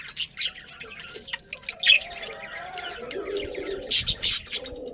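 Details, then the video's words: Budgies from a breeding colony chatter with rapid high chirps and twittering bursts, while a softer, lower warbling tone wavers underneath and louder chirps close the stretch. "Cute Budgies Chirping Sounds"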